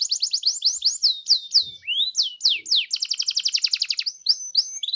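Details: A canary's provoking song: a series of quick down-swept whistles repeated several times a second, a few slower slurred notes, then an even rapid trill and more sweeping whistles.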